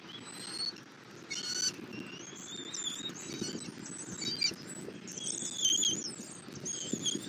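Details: Bald eagle at a nest in Southwest Florida, 8 February 2024 at 11:00, as the adult male brings a catfish and feeds an eaglet; a series of high, thin whistled chirps, some in quick runs, over a steady low hum.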